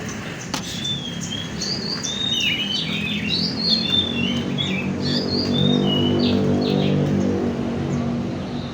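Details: Oriental magpie-robin song used as a lure to stimulate birds: varied whistled phrases and short slurred notes, rising and falling, over a steady low hum.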